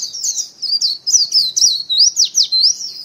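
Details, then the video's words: White-eye lure call: a rapid run of thin, high, twittering notes with quick up-and-down slurs, sustained chatter over about three seconds. "Tiếng chim vành khuyên mồi"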